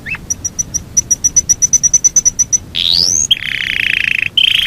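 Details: Long rolling song from a Yorkshire canary. Evenly spaced high pips come about four per second, followed by a rising sweep and then a buzzy rolling trill.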